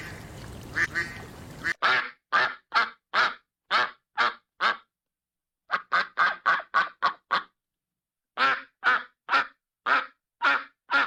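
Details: Duck on a pond delivering loud quacks in three rapid bouts of six to eight calls each, separated by brief silences, after a noisy start.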